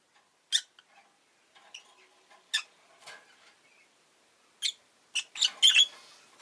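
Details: Rosy-faced lovebird kept as a pet makes sparse, clicky high chirps spaced a second or two apart, ending in a rapid cluster of rasping chirps.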